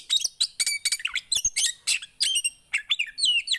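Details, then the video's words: Rapid Javan white-eye twittering, meant to get quiet birds singing, with sharp chips and short slurred whistles in fast, evenly spaced bursts. "Ampuh Buat burung poci yg Macet!"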